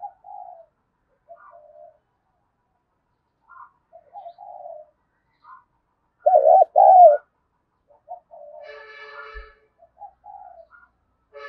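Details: Spotted dove sounds used to trigger fast cooing in a decoy dove: soft scattered low notes throughout, with one loud double coo in the middle and a brief buzzy harmonic call shortly after.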